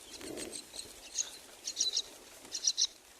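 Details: Baby mynas, four chicks at the nest being fed by their mother, giving short clusters of scratchy, buzzy chirps in pairs and triplets, after a soft low rustle at the start.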